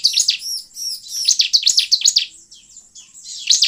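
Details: Lure recording of bar-winged prinia song for drawing in wild birds, with quick runs of high, sharp chirping notes, about two or three per second, then a short pause before another chirp.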